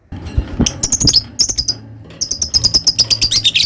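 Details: Lovebird ngekek chatter: a tumbling run of fast, high, scratchy squeaks, a short pause, then another rapid burst of sharp repeated notes.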